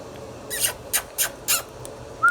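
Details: Indian ringneck parakeet kept as a pet gives four harsh, raspy squawks in quick succession, ending with a short clean whistle.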